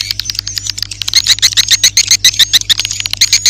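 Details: Edible-nest swiftlet lure sound, recommended for new swiftlet houses and for use morning, noon and night: a dense, fast chittering of high, sharp twittered chirps, several each second, growing louder and busier halfway through, with a faint low hum.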